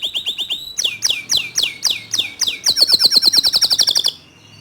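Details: Canary song meant to provoke other canaries to sing: steady repeated down-slurred whistles, then a rapid high trill that stops abruptly before a quiet end.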